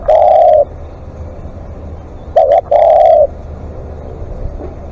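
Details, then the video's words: Spotted dove kept as a live decoy, calling at length: loud, slightly buzzy coos, a long steady note followed by two quick short notes and another drawn-out coo, over low background hum. "เสียงนกเขาใหญ่ ต่อสดเรียกยาวๆ"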